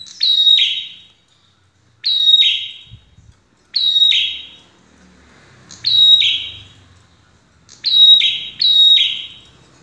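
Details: Red-headed prinia singing loudly, a song meant to provoke birds into answering: strident high phrases, each a sharp whistle sliding into a harsh buzzy burst, given about every two seconds with short silent gaps and faint low background noise.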